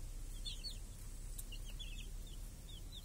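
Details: Village chicks grazing with hens beneath a cage that protects them from crows and hawks on a clear summer day: scattered high, slurred peeps, some doubled, with brief gaps between bursts.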